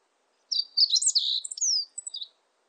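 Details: A Meadow bunting recorded in Korea in 2020 by the National Institute of Biological Resources sings one quick, high phrase under two seconds long: a jumble of thin chips, buzzy slurs and a falling note over a quiet background.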